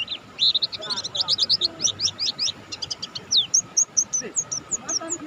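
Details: Mountain white-eye, Buxtoni type, in full energetic song: loud, fast twittering of high warbled notes, clustered trills and sharp slurred whistles, ending in a series of thin, evenly spaced high chips; faint low background noise.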